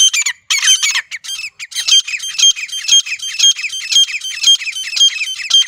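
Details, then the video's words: Grey francolin, the wild desi teetar, in a natural setting, giving its hunting call: a rapid, scratchy burst at first, then shrill ringing notes repeated roughly twice a second, loud and clear. "جنگلی دیسی تیتر کی اصلی آواز | گری فرانکولن کی زبردست شکار والی آواز"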